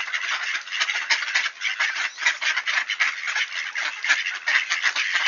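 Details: Wood ducks returning at Sainte-Adèle, Quebec, Canada, on a clear 1°C October morning at 7:53 AM; a dense, continuous chorus of overlapping squealing and honking calls with no clear gaps.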